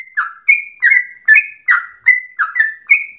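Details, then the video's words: Yellow-vented bulbul in full, persistent song with long phrases said to resemble a straw-headed bulbul; rich gurgling whistles, each note a quick downward slur followed by a flat tone, repeated at a brisk, slightly uneven pace. "Trucukan gacor ropel panjang narung suara berasa cucak Rowo"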